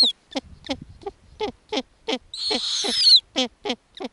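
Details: Snowy owl owlets on an Arctic nest, being fed lemmings by their mother, give a quick run of short, squeaky chittering notes, about three a second, broken midway by a longer harsh, hissing screech.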